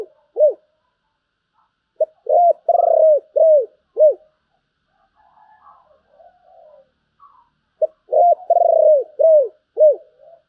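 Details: Spotted dove giving 'giọng thổ' style song with a 'bầu' tone, two full phrases about six seconds apart, each with quick short notes, a rolling trilled coo and downcurved closing coos; soft faint chatter between them.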